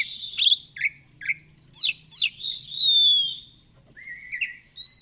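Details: Oriental magpie-robin (kacer) singing, recorded for training and therapy of kept birds morning and evening: short chirps and buzzy notes, then a long clear descending whistle, a pause, and a rising whistled phrase.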